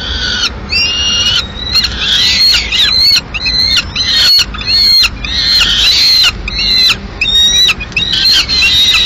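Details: Peregrine falcons at a Madrid nest, female arriving mid-morning with a pigeon remnant: repeated shrill, slurred calls in short bursts, roughly one and a half per second, with some high whistled upsweeps.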